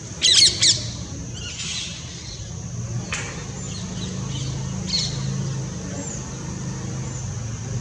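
Purple-rumped Sunbird: two sharp, harsh chip notes in quick succession, then a few fainter high calls, over a low steady background rumble.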